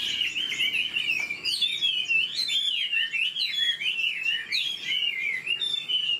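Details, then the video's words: Caged Chinese hwamei, an old bird caught from the wild, delivering rapid, rich whistled song: tumbling, looping notes rising and falling in quick succession, sustained throughout with barely a break. "Họa mi già rừng chất giọng cực hay. tốc độ mỏ nhanh"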